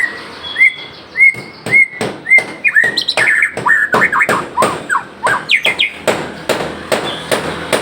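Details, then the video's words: White-rumped shama, known locally as murai Aceh, singing actively with an abundant repertoire of learned phrases: repeated slurred rising whistles, then a fast varied run of chirps and whistled notes, punctuated by sharp clicking knocks. "murai aceh gacor door isian melimpah"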